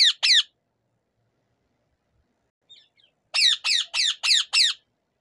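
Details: Native rose-ringed parakeet, among its varied sounds: two sharp, piercing shrieks, a pause, then five rapid shrill screeches in quick succession, each with a bent, wavering tone, in otherwise silent surroundings.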